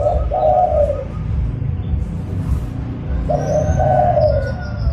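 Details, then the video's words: Zebra dove calling lively, a recording used to lure other doves: two short rolling coo phrases about three seconds apart over constant low hum, with faint high chirps near the end. "DERKUKU GACOR (DERKUKU PIKAT)"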